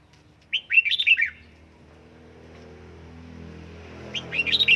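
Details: Caged red-whiskered bulbul trained at home to reach fiery singing form, giving a rapid run of bright warbled notes, then a pause with low hum before a second burst of chirpy phrases.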